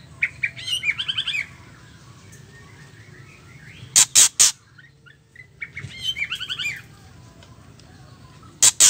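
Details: Female white-rumped shama calling to trigger male song; quick chattering trills alternate with sets of three loud harsh rattles, repeated twice with quiet gaps and a faint background hum.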